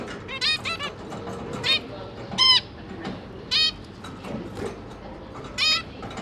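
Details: Zebra finches feeding three babies: clear single nasal beeps, each strongly harmonic, spaced roughly one second apart, with a short cluster at the start and quiet background.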